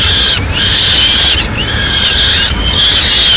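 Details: Female peregrine falcon carrying a pigeon to the nest, Madrid, 6 May 2016; three drawn-out, rasping screams about one second apart, steady hum behind.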